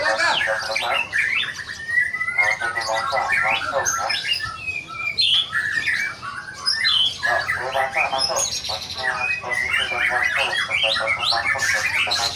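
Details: A white-rumped shama in full voice, pouring out fast, varied song: buzzy rattling trills alternate with bright, ringing whistles and sharp upward notes. The bursts are continuous and tightly packed across twelve seconds, recorded indoors.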